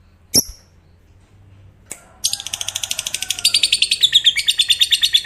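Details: Lovebird of the fighter type giving a long ngekek trill, said to set other lovebirds singing: a single sharp chirp, a brief second note, then a fast buzzy chattering trill of rapid high pulses that grows louder and runs to the end.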